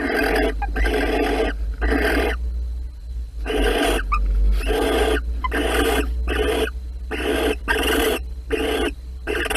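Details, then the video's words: Mating barn owls inside a nest box, Holten, March 2020, give rough, breathy screeching bursts, some short and others longer, coming in quick irregular series over a constant low background hum. "Kerkuil Holten 2020 03 16 paring in de kast"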